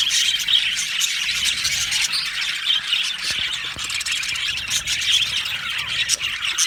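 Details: Happy budgie colony in an aviary: continuous high twittering and squeaky warbles from many birds, with occasional clearer whistled chirps standing out.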